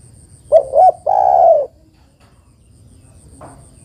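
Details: Female spotted dove calling a male, recorded as a lure: two quick, low, hollow notes followed at once by a long, steady, mellow coo lasting about half a second. Quiet afterwards, with a faint high tone in the background.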